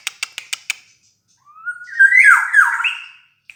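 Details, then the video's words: Black-naped oriole sound played to lure other birds: five sharp ticks in quick succession, a short pause, then a thin rising whistle swelling into a loud, rich, slurred and somewhat harsh phrase about two seconds long. "mancing suara burung kepodang mas"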